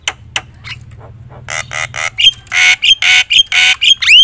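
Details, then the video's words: Loud singing Javan myna (jalak kebo), meant to spur other mynas to sing: a quiet start with faint clicks, then harsh broadband squawks and rasping bursts alternating with short whistles and a final rising whistled note. "suara KERAS jalak kebo gacor full isian bikin semua burung jalak emosi gacor"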